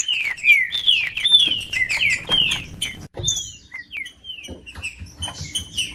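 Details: Green-winged saltator song for warming up a quiet tournament bird: a dense rapid volley of falling whistles, then slower separate slurred notes with light background clicks.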